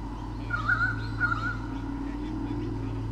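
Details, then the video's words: At Sydney Olympic Park, Australia, a white-bellied sea eagle pair defends its territory from swooping currawongs, filmed by a nest camera; two short honking calls in quick succession near the start, then steady low hum. "WBSE 2013 - Defending their territory!"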